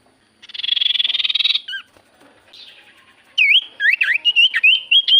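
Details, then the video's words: Javan white-eye song played as a lure to set common ioras singing: a long rapid buzzy trill, a short downward slur, then quick bright whistled notes rising and falling in a lively run. "Pancingan Burung sirtu cipoh gacor Paling ampuh cipoh diam pasti Langsung nyaut"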